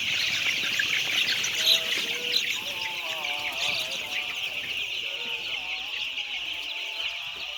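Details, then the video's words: About 10000 white chicks keep up a loud, dense chorus of high peeps, with a few lower wavering calls standing out in the middle of the clip. "10000 White chick's 🐤"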